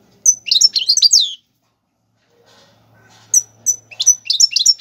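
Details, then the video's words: Tiwawati Galoubi and Serfati style goldfinch song, played to tutor young birds: a quick jumbled twittering phrase, a quiet stretch with faint murmuring, then separate sharp chips building into more bright twitters. "حسون تيواواطي قالوبي + سرفاتي , تغريد اكثر من رائع"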